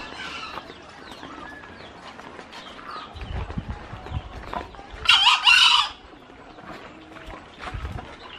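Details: Green junglefowl belonging to an old man, a fierce, frequent crower: one short, hoarse, harsh crow in two quick bursts, the second slightly longer, rising out of quiet rustling and faint distant voices.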